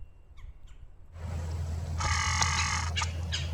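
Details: Two Red-bellied Woodpeckers (Melanerpes carolinus) in post oak savannah woods at Stephen F. Austin State Park, San Felipe, Texas, agitatedly alarm-call at a perched Barred Owl: faint chirps, then harsh rolling churrs in excited bursts over low wind or handling rumble.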